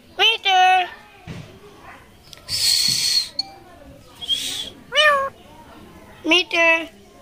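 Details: Talking rose-ringed parakeet at the Mirpur 1 bird market, producing speech-like phrases of short harmonic, rising-falling syllables, with bursts of hissy noise and background chatter between them.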